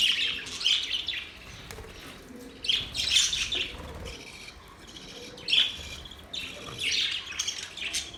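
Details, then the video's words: Budgerigars chirping and singing: bursts of bright, scratchy warbles and sharp chirps at about 0, 3, 5.5 and 7 seconds, with quieter chatter in between. "Budgies sounds | Budgies singing | Budgies chirping sounds"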